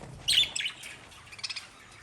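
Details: A single loud, harsh lovebird squawk with a trailing chirp, then a few softer quick chirps.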